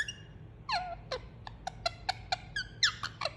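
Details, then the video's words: Indian ringneck parakeet, a pet enjoying cuddling, voicing soft soothing notes: a falling squeaky whistle then quick evenly spaced chirps about every quarter second. "Cute Pet Parrot Enjoying Cuddle And Making Soothing Sound"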